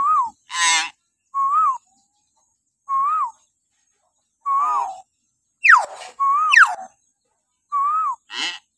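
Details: Common hill myna calling in the morning, a lure for captive mynas: short upslurred-then-falling whistles spaced one to two seconds apart, mixed with harsh raspy bursts and steep descending screeches.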